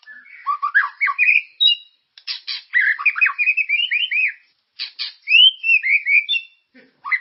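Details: White-rumped shama song for stimulating caged birds: varied fluty whistles mixed with harsh buzzy bursts and rapid trills, in energetic phrases with brief gaps.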